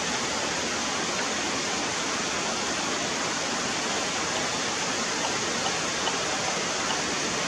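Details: Steady rushing water, like a waterfall or stream, fills the recording with no animal calls.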